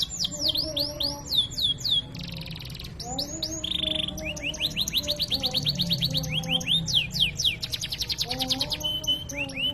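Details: Canary in vigorous master training song with fancy phrasing: rapid rolls of repeated descending whistles, short harsh buzzy bursts, and long fast trills of identical notes, with soft steady low tones underneath.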